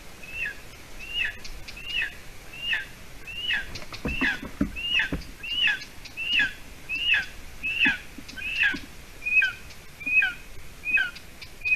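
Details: Nest-bound golden eaglet, hatched 9 May 2020, in Latvia at about 6:20 p.m. on 30 June 2020 as its mother arrives with roe deer hide: loud, insistent high whistles that slur downward, about once per second, with occasional knocks and rustles.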